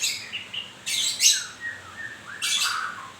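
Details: White-rumped shama during moult giving two loud harsh rasping bursts separated by falling whistled slurs.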